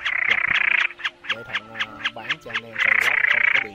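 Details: Common snipe, from a night-migration lure recording made in March 2024, gives fast, raspy, repeated chipping notes at about four a second, with a low, droning, voice-like hum underneath in the middle.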